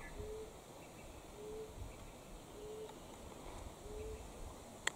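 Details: A pigeon in Australian bush near a dam, as days grow longer and warmer, gives four low, soft whoo notes about every second and a quarter, over a quiet hiss, with a sharp click at the end.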